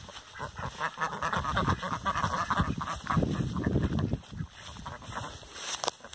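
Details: Flock of Rouen ducks at a breeding farm calling together, a dense run of harsh, nasal quacks that builds and then fades, over steady low rumble.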